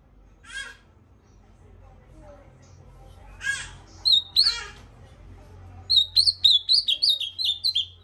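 Ultramarine grosbeak: a few harsh, raspy notes give way to a quick run of high, sweet whistled notes, about four per second. A faint low hum runs underneath.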